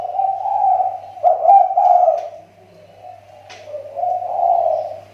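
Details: Riau Islands spotted dove kept for luring, its voice on the mend: soft burry coos that swell, fade to a quiet murmur, then rise again, over a steady low hum.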